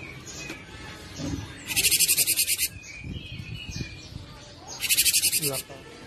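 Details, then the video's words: Cinereous tit, used as a lure and tutor recording for other birds, gives two loud bursts of harsh, rapid chattering notes, each about a second long and three seconds apart, over faint background voices and music. "burung gelatik batu gacor"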